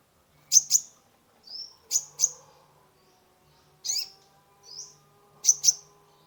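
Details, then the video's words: Energetic song of a kolibri ninja sunbird, played to revive a stressed cage bird: crisp high double chips alternating with softer short whistles, spaced by brief pauses, on a quiet background. "Terapi pancingan konin gacor full isian mengatasi burung stress"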